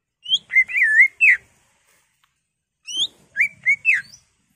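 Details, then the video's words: Greater green leafbird kept in a cage, singing emotionally to provoke another bird: two bursts of looping, slurred whistles with falling and rising turns, separated by a silent gap of about a second and a half. "CUCAK IJO GACOR EMOSI BONGKAR ISIAN NGENTROK/ PANCINGAN CUCAK IJO BIAR EMOSI"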